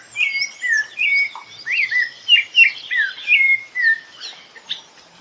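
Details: A rufous-bellied thrush from Brazil's Northeast sings a lively sequence of rich whistled, warbling notes, each phrase slurring downward, repeated about twice a second with brief gaps; little other sound.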